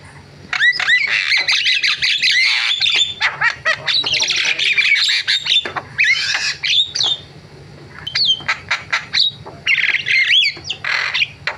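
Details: Javan myna delivering a long, loud varied song of rapid harsh chatter, buzzy trills and slurred whistles, pausing briefly before more clicks and squawks.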